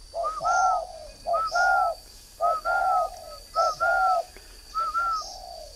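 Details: Caged decoy spotted dove, three years old, from northern Vietnam, repeating a clear low coo phrase about every second: a short note, then a longer drawn coo, five phrases in all. A faint high whine sits behind.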